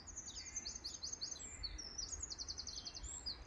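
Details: Birds singing in a park: high, thin chirping notes delivered in quick series, some as rapid runs of short similar notes, over a low traffic-like rumble.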